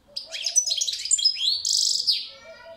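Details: Rapid, liquid twitter from a European goldfinch, with upward-sliding whistles and tinkling notes, then a buzzy trill and fading softer notes.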